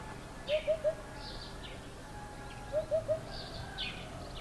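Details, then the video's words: An African hoopoe calling from powerlines in front of a house in the morning gives two soft, low triple hoots, 'hoop-hoop-hoop', about two seconds apart, with faint higher chirps from other birds behind; it sings mainly 3-note phrases and ends with a 4-note one. "African Hoopoe calling"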